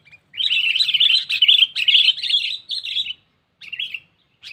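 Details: Lure call of a sooty-headed bulbul calling a rival, used for trapless catching: a dense, scratchy chattering stream lasting nearly three seconds, then two brief separate bursts of chatter.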